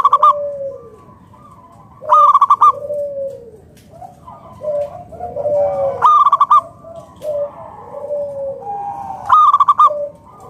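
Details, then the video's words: Zebra dove of local wild stock singing to coax others into song: four loud bursts of quick staccato notes, about one every two to three seconds, with mellow lower coos and overlapping softer cooing between them. "PERKUTUT LOKAL GACOR SUARA PALING AMPUH UNTUK PANCINGAN BURUNG PERKUTUT AGAR NYAUT BUNYI GACOR"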